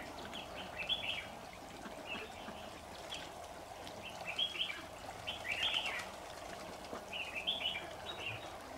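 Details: Lure red-whiskered bulbul singing from a long-unused cage at a trap in a jujube tree on 26 September 2019. Brief chirpy whistled phrases are repeated regularly, some louder than others, over a persistent low droning background.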